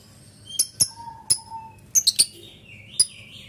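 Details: Lovebird calling with scattered sharp high chirps and short whistled notes, a few brief buzzy rising tones between, separated by quiet gaps.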